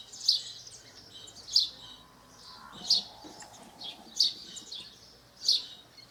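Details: Wild house sparrow in Brazil repeating emphatic chirps at intervals of just over a second, interspersed with quieter chattering notes, faint low hum in the background.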